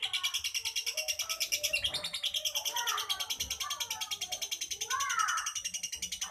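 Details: Lovebird in continuous fast chattering, a steady train of shrill pulsed notes with lower twittering and warbled squeaks woven through.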